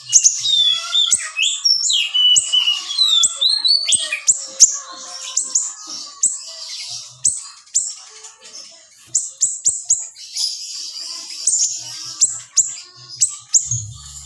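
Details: Small siri-siri singing a lively tutor song of tight, sharp 'shots': opening whistled slurs, then a long stream of high, piercing chirps and flicks, loosely spaced, often several notes a second.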